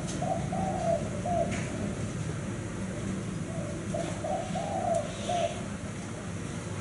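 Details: Spotted dove of the 'thái hậu' cooing style, praised as a frequent cooer; soft low coos in two phrases of several notes each, separated by a pause of about two seconds, with faint background noise.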